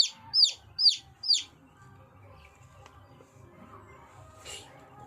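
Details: Chicks peeping: three loud, high, downward-sliding peeps in quick succession at the start, then near silence with a faint low hum and a soft rustle near the end.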